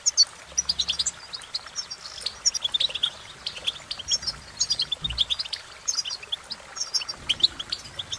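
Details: Goldfinch's cheerful song, quick high twittering phrases with tinkling trills, steady and continuous; a faint low hum and a brief thud midway.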